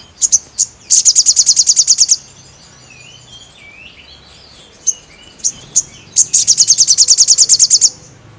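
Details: Gacor song of a crested jay for training caged birds: sharp high chips leading into a rapid rattling trill, soft faint twittering between, then scattered chips and a second long shrill rattle.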